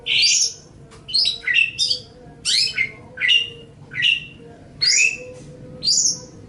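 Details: Long-tailed shrike, a master bird for teaching songbirds, giving sharp descending slurred chirps about one per second, some in quick pairs, over a faint low hum.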